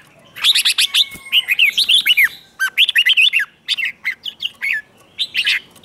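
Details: Red-whiskered bulbul competition song, used to provoke other birds to sing: a long, nearly continuous stream of rapid chirped and warbled notes in several dense phrases, lively and high-pitched.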